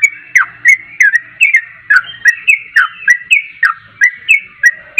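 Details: Loud yellow-vented bulbul song used to provoke answering song: quick series of gurgling, bending notes, about three per second, with a faint low hum underneath.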